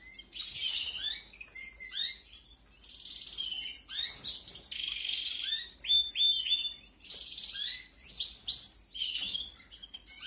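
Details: Canary chicks being fed in the 2021 breeding season: loud runs of rapid buzzy trills and high chirps that come in dense bursts and break off in short pauses.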